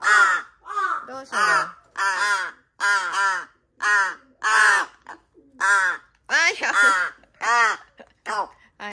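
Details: Young large-billed crow, a rescued chick being fed indoors, recorded 13 August 2022: eager, harsh nasal calls repeated about twelve times in nine seconds, some doubled, uneven rhythm, calling throughout while eating.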